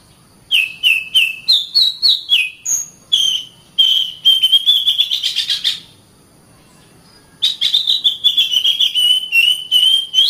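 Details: Oriental magpie-robin training song for caged birds: brisk series of whistled and buzzy notes, a long accelerating trill, a short silent gap, then another dense run of chirps and whistles.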